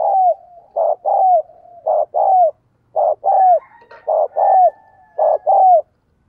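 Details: Captive decoy spotted dove cooing to encourage other doves to call: low, soft coos in groups of two or three, each with a falling tail, repeated steadily about every second and a half, with a faint high tone in the middle.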